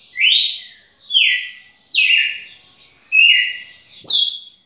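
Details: Champion red-cowled cardinal with five strong whistled notes, roughly one per second, each a bright downslurred phrase, plus a brief knock near the end in otherwise quiet surroundings.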